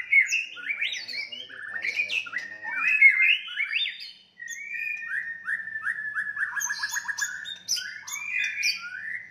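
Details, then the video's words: White-rumped shama fighting song to anger rivals: tumbling varied phrases, a short pause, then a long run of quickly repeated downslurred whistled notes followed by chattering high notes. "murai batu tarung ampuh untuk menaikan emosi"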